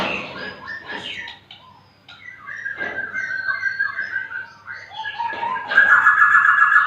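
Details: Magpie-robin singing undisturbed while small children play nearby: varied whistled phrases and warbles at middle pitch, ending in a loud sustained rapid trill, with a low background rumble.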